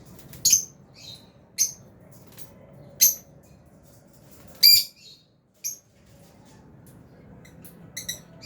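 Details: Albino and Fisher's lovebirds in an aviary give short, piercing high chirps every second or so, separated by quiet stretches, with a few fainter squeaks near the end.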